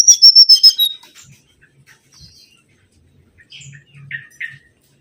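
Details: Lure recording of mangrove whistler song opening with a rapid, loud series of pure whistled notes that waver in pitch, then fading into softer short slurred whistles after a pause.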